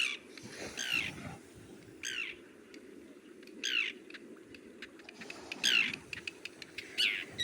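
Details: A migratory common tern in Sri Lanka gives five harsh, grating, downslurred kee-arr calls, one every second or so, over a steady low rumble.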